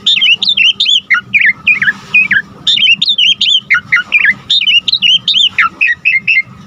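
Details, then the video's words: Asian pied starling, a cage bird from Indonesia used as a song tutor, pours out rapid twisting whistled phrases in dense bursts separated by brief pauses, loud and varied throughout. "Jalak Suren GACOR Full Isian Gampang Dan Mudah Masuk Untuk Pancingan Masteran Semua Burung"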